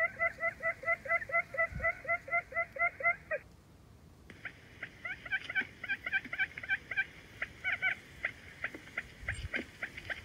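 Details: Forest buttonquail giving a steady run of clipped, bouncing notes about twice per second. After a short gap, quieter stuttered bursts resume against background hiss and a few low thumps.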